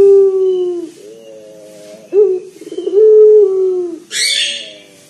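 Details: Local Indonesian dove (puter), a loud, deep-voiced lure bird for prompting others to call. Two low, harmonic coos, one long note falling away, then a short clipped note and another long steady one, ending with a brief hiss.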